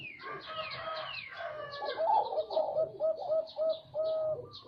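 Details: Zebra dove song: a run of short, clipped cooing notes repeated about every third of a second, each note nasal and slightly rising, with a faint hoarse background and another bird's thin chirps at the start.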